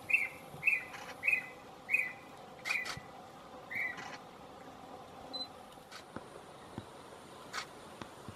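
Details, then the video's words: Lesser ground cuckoo giving six short, clear, high notes about half a second apart, slowing toward the end, with sharp mechanical clicks in the background. "Lesser Ground Cuckoo"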